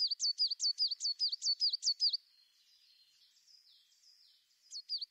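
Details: Tit song: a quick two-second run of about eight paired high notes, each a sharp rising stroke followed by a dipping one. Faint softer warbling follows, then the phrase begins again.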